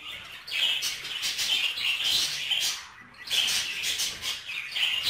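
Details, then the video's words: Budgerigars mating inside their cage produce a lively high warble of squeaks and ticks in bursts, pausing almost silent for a moment midway before the chattering resumes. "تزاوج البادجي داخل القفص"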